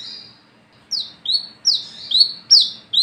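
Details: Olive-backed sunbird lure song at night, in the 'gacor ngalas ngeplong' style: a faint opening note, a short pause, then a quick series of piercing downward-sweeping notes with buzzy tails.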